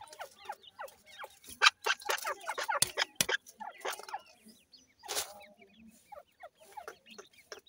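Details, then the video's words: Grey francolin chicks being fed give many short, high cheeping chirps. The calls are rapid and overlapping, broken by several sharp clicks and taps. "grey francolin chicks nice voice"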